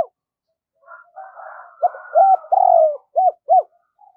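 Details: Captive decoy spotted dove in 'giọng thổ' style, calling rapidly and cooing to lure wild doves. Soft murmuring notes lead into a run of loud, arched hooting coos, five strong notes in quick succession, one drawn out longer.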